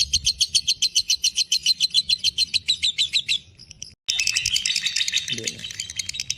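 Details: Fighter lovebird in breeding condition chattering the long ngekek style: rapid high, sharp notes that fade, break off briefly, then return as a denser, buzzier chatter.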